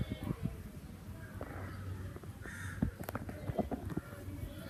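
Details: Summer crow calls: two hoarse caws about a second apart, mixed with scattered sharp clicks and taps over a low rumbling background.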